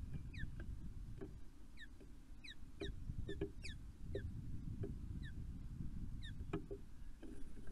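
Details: Early-morning meet-up with mating between two wild ospreys at Poole Harbour on 5 June: rapid, repeated high chirps, each sliding downward, in steady bursts throughout, over constant low wind-like rumble and occasional clicks.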